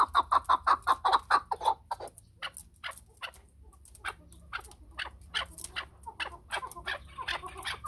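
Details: A chukar partridge opens with a brisk string of clucking notes lasting under two seconds, then the calling turns sparse and ragged with softer, scattered notes.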